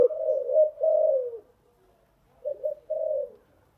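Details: Decoy spotted dove cooing, a sound used to train newly caught birds: a long, low, slurred coo, a pause, then a shorter broken coo phrase, in quiet surroundings.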